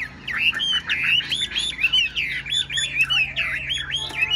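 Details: Caged Chinese hwamei, spread-tailed songbird singing steadily: a fast run of loud looping whistled notes, warbling up and down without pause, with faint low hum behind.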